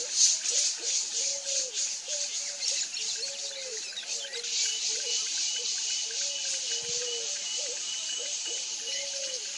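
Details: Picazuro pigeon (pomba-asa-branca) song: a steady run of soft, low, arched hooting notes repeated about three times a second, over a constant bright high-pitched hiss.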